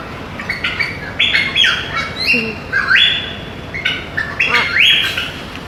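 A macaw gives a string of harsh, raspy squawks, roughly one every second, some sliding upward, with quieter chattering notes in between.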